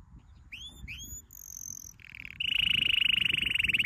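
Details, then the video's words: Canary training song opening with two rising whistled slurs and a high thin note, then a buzzy low tour leading into a rapid pulsing roll. "Your canary will NEVER STOP SINGING With this training song"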